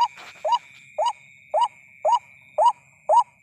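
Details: Ruak-ruak, the white-breasted waterhen, in a night-time luring recording: six evenly spaced croaking notes, each rising then dipping, roughly two per second, after a brief noisy burst at the start; a constant thin hum runs beneath.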